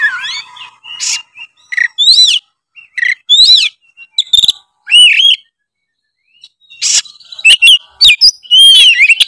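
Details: White-rumped shama in competition form, delivering a varied song of clear looping whistles, upward-swept slurs, brief buzzy bursts and quick chips, with a long silent gap midway before a faster closing run of notes.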